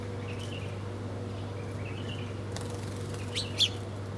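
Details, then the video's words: Several birds feeding at breakfast give faint, short high chirps scattered through the clip, with one sharper, louder chirp near the end over a steady low hum. "Different Birds Chirping Sound || Birds Are Breakfasting || Birds Eating Food"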